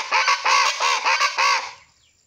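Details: A Rufous-vented Chachalaca in Venezuela, a wild bird of scrub and forest edges, gives its loud, harsh, raucous call, about six notes in quick succession within two seconds, then falls silent.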